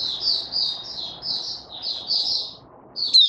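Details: White-eye uttering a series of high, drawn-out slurred notes over a low background rumble, ending with a sharper bright chirp.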